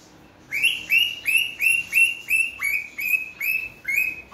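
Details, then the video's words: Tame pet cockatiel, described as saying peekaboo and making kissing sounds; here a quick run of about ten bright, rising chirped notes, roughly three per second, fairly even in rhythm, with a quiet room behind. "Cokateil bird saying peekaboo and kissing"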